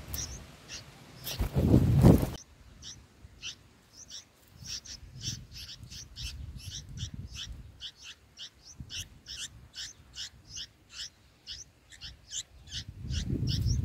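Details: Nestling bulbuls fed by parents on day six, eating green lizard eggs. After a loud rustling burst, a long, fast series of sharp, high chirps repeats about three times a second, with a faint low rumble.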